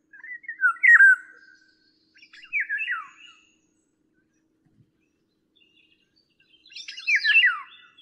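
Three harsh, grating, downslurred squawks from a Eurasian Golden Oriole, each about a second long and spaced a few seconds apart, in otherwise quiet surroundings.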